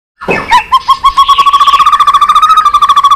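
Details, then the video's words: White-rumped shama song of the kind used to stimulate and train birds: one sharp opening note, then a long, fast, even trill of repeated mid-pitched pulses, about nine each second. "Chòe Lửa Hót Nhiều Giọng"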